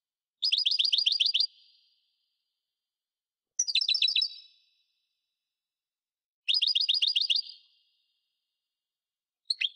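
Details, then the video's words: European goldfinch (parva) singing three quick, rattling bursts of bright chirps about three seconds apart, each a dense, even trill of roughly a second, plus a brief final note; clean, quiet background. "Singing goldfinch - Chant chardonneret parva"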